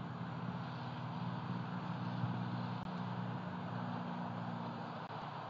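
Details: Continuous engine and road-traffic rumble in February near a Southwest Florida eagle site, with two brief dropouts and no bird calls.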